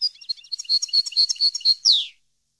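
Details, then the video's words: European goldfinch song used to train captive birds: rapid tinkling, twittering high notes in quick succession, several slightly louder chips, ending in a harsh, buzzy, downward-sliding note before silence. "Canto Para Educar Jilguero"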